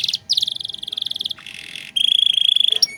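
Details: Canary in 'gacor' song for training young birds: a quick buzzy rattle, a long even rolling trill, a soft hissing stretch, then a bright steady warbling roll of rapid repeated notes.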